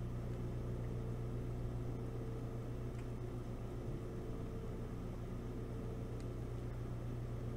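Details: Steady low mechanical hum with a constant electrical buzz and a couple of faint clicks, no animal voice heard.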